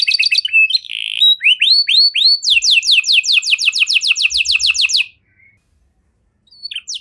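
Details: Canary in cengkok-style song meant to provoke other canaries into singing: quick trills, a short buzzy note, then slow rising whistled swoops, followed by a rapid descending rattle of repeated notes and a brief pause.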